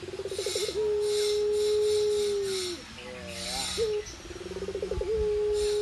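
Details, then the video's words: A prize-winning Barbary dove (puter pelung) from Tulungagung, Indonesia, gives quick rolling pulses that flow into a long, steady, low coo of about two seconds, then starts again. Faint buzzy hiss behind. "Puter Pelung Juara XI"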